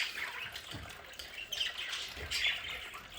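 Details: Pet budgerigars in their home play area twitter softly and squawk at a distance over a steady background hiss, with faint dripping sounds.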